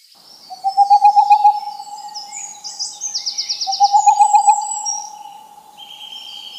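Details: Owl uttering two tremulous hoots, each a rapid pulsing series lasting over a second, about three seconds apart, while other birds trill and chirp in the background.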